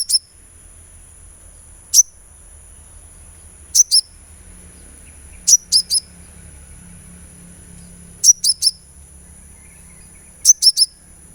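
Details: Sunbird calls played as therapy to prompt singing: thin, very high chirps, first single, then in pairs and triplets, spaced roughly two seconds apart in a calm, near-silent setting.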